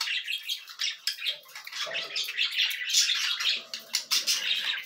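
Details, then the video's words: Cockatiel chicks at feeding time making a dense, continuous hissing rasp of overlapping squawks that swell and fade in pulses, with occasional higher squeaks and low muffled handling noise. "Alimentação para filhotes de Calopsitas"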